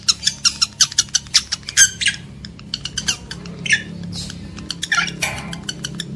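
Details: Lovebird calls meant to arouse breeding males and females: a fast series of sharp, squeaky clicks and chirps, evenly spaced at first, then looser chatter with some buzzy notes.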